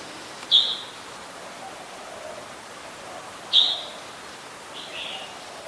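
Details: Adult red-whiskered bulbul at Ubon Ratchathani, Thailand, recorded 16 December 2020, giving two sharp high chirps three seconds apart followed by a softer buzzy note, against a hissy natural background.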